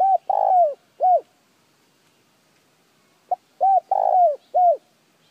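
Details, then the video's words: Spotted dove cooing, used to stimulate other doves to call: two phrases of low, hollow coos, each a short note, a longer drawn note and a closing note, separated by about two seconds of quiet. "Tiếng chim cu gáy kích bổi nhanh nổi"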